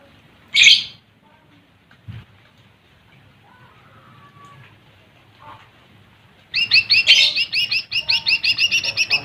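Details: Lesser green leafbird singing to provoke rival birds: a loud harsh note, a quiet pause with faint chirps, then a long fast series of repeated bright ringing notes.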